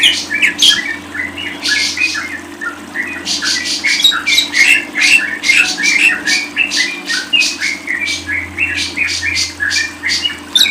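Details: A lovebird sings in a busy run of scratchy squeaks and brief squawks. The bursts come in clusters with short gaps between them, and a low constant hum sits in the background.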